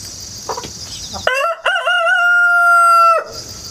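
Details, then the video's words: Home-hatched rooster kept in the countryside, recorded by action camera and wireless mic: a short rising start, then a long, steady, drawn-out crow of about two seconds, insects buzzing faintly before it. "닭 울음소리 자연 소리 꼬끼오 수탉"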